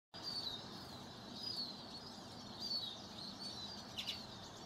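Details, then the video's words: Close-up common redpoll giving thin, high, slightly falling call notes about once a second, with a brief twittery burst near the end, over a steady background hiss. "Common Redpoll"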